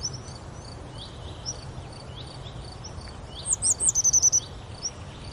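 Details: Grey wagtail recorded at Oukaimeden near Marrakech in Morocco. After a stretch of faint background chirping, it gives a rapid series of about eight thin, high notes, slurred at first and then clipped.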